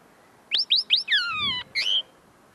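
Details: Tame common linnet still perfecting its song, singing right in front of the recorder: three rising chirps, then a drawn-out falling whistle with buzzy overtones, closing with a short twittered phrase.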